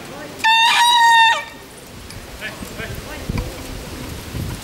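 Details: Bekisar rooster crowing in the Pratama class final of a national bekisar voice contest, Pakualam Cup, Yogyakarta, 3 December 2017: one clear, ringing, slightly wavering crow about a second long, followed by crowd murmur and distant voices.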